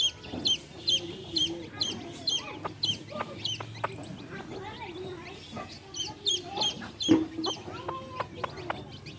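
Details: Hen and baby chicks: clusters of high peeping chirps with gaps between them, plus scattered clucks and clicks.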